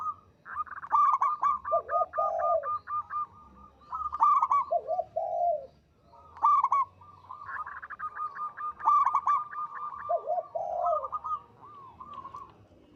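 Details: Zebra dove of local stock with a big, long, melodious voice: bursts of fast clipped coos, each followed by a lower purring, wavy phrase, repeated about four times with short quiet gaps.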